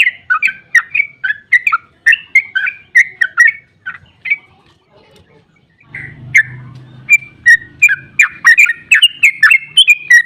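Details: Excited trucukan (sooty-headed bulbul) long ropel song for provoking other bulbuls to sing: quick chattering whistled phrases, a pause of about two seconds, then a low rumble of background noise as the bright notes resume faster.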